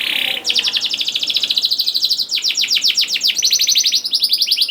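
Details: Domestic canary singing a lure song meant to prompt juvenile canaries to sing. A dense, fast rolling trill of buzzy high notes runs without pause, shifting pitch slightly midway through.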